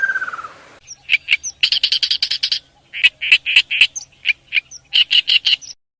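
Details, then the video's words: Morning birdsong of dense, clipped chirps in quick clusters, with brief pauses between groups. The clip opens with a short falling whistle over a soft rushing noise. "아침명상 - 새소리"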